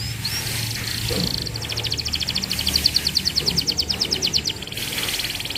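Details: Canary lure song for training young canaries: a rapid, even trill of short bright notes lasting several seconds, heard over a broad hiss of background noise.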